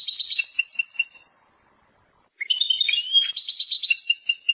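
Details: Persian goldfinch, a European goldfinch, in song: fast, jingling high twitters and trills, broken by a pause of about one second, then a brighter, denser burst of tinkling notes and buzzy phrases.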